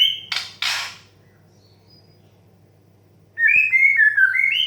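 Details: White-rumped shama, 'desahan' style song used as therapy to get young, stressed birds singing: after two harsh broadband bursts and a quiet gap, clear whistled phrases around mid-high pitch start near the end, gliding and wavering.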